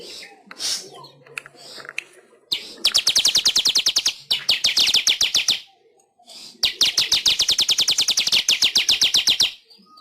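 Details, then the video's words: Weaver master song used to train caged birds: scattered chirps at first, then two long bursts of fast, dry, buzzy high notes in even rapid series, separated by a short pause. "Masteran Suara Burung Manyar"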